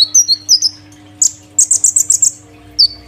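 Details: Kolibri ninja sunbird in a cage singing loudly after a cage move: high, thin rising chirps, then a rapid series of six bright tweets, ending with a single downslurred note.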